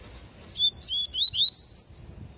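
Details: Double-collared seedeater in tui tui song style, delivering a short string of about six clear, swooping high whistles, each rising then falling, the last notes climbing highest.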